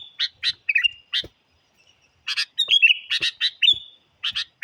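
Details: Sooty-headed bulbul song, a very lively lure used to challenge wild birds: a few sharp chirps and a short falling whistle, a second-long silence, then a clustered burst of chirps with a drawn-out whistled note.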